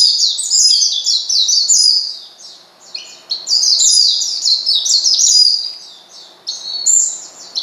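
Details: Oriental white-eye calling a rival to provoke it: fast, piercing high twitters in repeated bursts of jumbled chirps, each lasting two to three seconds with brief pauses between.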